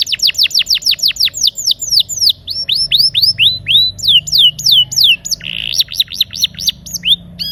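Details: Canary 'gacor ngeroll' song meant to get silent canaries singing: rapid high descending whistles that gradually slow into wider swoops, broken by a short buzzy note and then picked up again.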